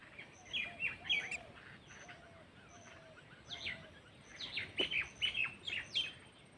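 Bright, scratchy chirps repeat in bursts, over a series of low, soft whistled notes about once a second, with other birds calling faintly behind.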